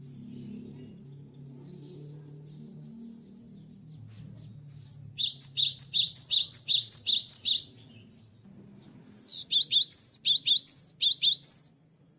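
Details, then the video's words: Cinereous tit, called gelatik batu, singing after moult over a low rumbling background: two bouts of sharp, repeated high phrases, the second with clearer arching whistles, separated by a short gap. "GELATIK BATU GACOR ‼️ KICAU GELATIK BATU SETELAH MABUNG"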